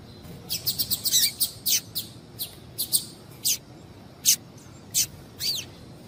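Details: Female double-collared seedeater calling to stimulate a male: a quick cluster of high chips and twitters at the start, then single sharp notes spaced roughly half a second to a second apart.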